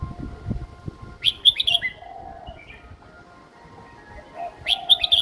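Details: Young red-whiskered bulbul in a cage delivers a simple, easily copied song: two loud bursts of bright, clipped whistled notes with a quieter warble between, and low background rumble.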